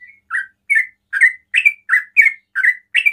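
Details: Sooty-headed bulbul in rapid 'ropel' song, meant to provoke other bulbuls to call, giving about eight short, rich chirped notes spaced roughly every 0.4 seconds, some rising and others falling.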